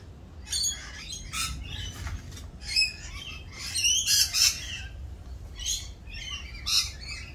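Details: Raucous rainbow lorikeets during mating season and their mating dance, giving a rapid jumble of harsh high squawks and screeches, several overlapping, bunched thickest around the middle.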